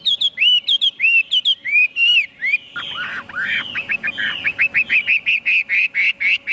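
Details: Chinese hwamei song with clear, rising and falling whistles at first, then a dense, rapid stream of short, bright notes. A faint hum sits in the background.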